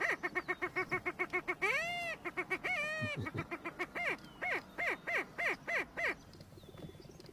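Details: Greater prairie chicken in Iowa, wild: rapid series of nasal cackling notes, several per second, broken by a couple of longer wavering whoops, over a background hiss of open country.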